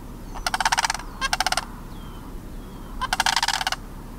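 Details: Two juvenile sandhill cranes at George W. Mead Wildlife Area giving three bursts of rapid, harsh rattling pulses, with thin high whistled peeps sliding between them.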